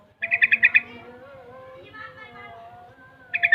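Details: Young trucukan, a Yellow-vented Bulbul about six months old that is learning ropel and garuda styles, gives quick bursts of five or six rapid clipped notes, with a pause between them over a low steady background hum.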